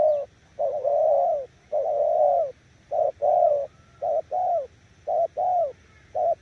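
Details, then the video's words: Spotted dove decoy cooing loudly and persistently, first with long drawn coos, then quicker clipped short-long pairs. The pace tightens toward the end. "Nước gù ae tự đánh giá, mồi yếu gặp thứ này chắc cũng thua"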